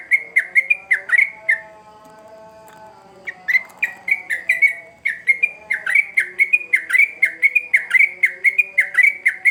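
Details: Sooty-headed bulbul singing hard, used as a lure for young birds; choppy whistled notes, a silent stretch of about two seconds with only a low hum, then a dense, rapid resumption of looping whistles.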